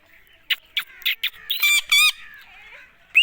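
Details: Caged Indian ringneck parakeet talking: a string of short, harsh, speech-like syllables, then louder drawn-out squawky words, ending with a clear rising-falling whistle.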